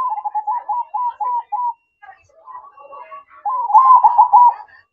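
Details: Zebra dove (perkutut) singing manggung at night: evenly spaced short coo notes, then a quieter jumbled passage, and finally a loud rolling burst of rapid trilled coos.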